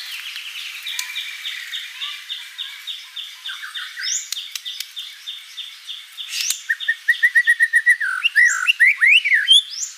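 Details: White-rumped shama song with a series of repeated chipping notes, a faster run of bright clipped notes near the end, and quick upswept whistles, over a noisy background.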